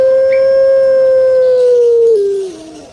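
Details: Cage-kept puter pelung turtle dove from Indonesia drawing out a single steady, deep, resonant coo for over two seconds, then stepping lower and gliding down as it fades.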